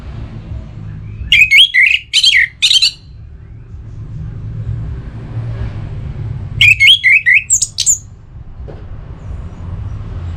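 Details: Orange-headed thrush in breeding condition, singing to call a rival, from northern Bali, Singaraja: two short bursts of loud, varied whistled phrases swooping between mid and high pitch, separated by a pause over low background hum.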